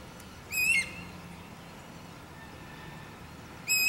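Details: Wild guira cuckoo singing: a loud, harmonically rich whistled note with a slight downward bend at its end, then quiet, then another note starting just as the recording ends. Faint low background hum throughout.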